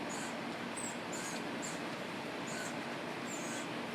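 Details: Young woodpeckers in a family group, fed by the adults and beginning to get red head colouring; soft, high squeaky notes come in short bursts at irregular intervals against constant low noise.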